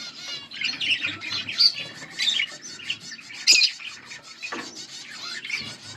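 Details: Budgies, a pair of Australian parrots, chirp and squawk in an uneven stream of scratchy, warbling notes with occasional sharper peaks.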